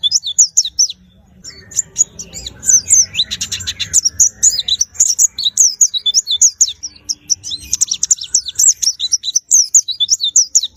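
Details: White-eye under care to make it sing more gives high sweet twittering phrases, a short pause, then a long excited run of rapid warbled and trilled notes.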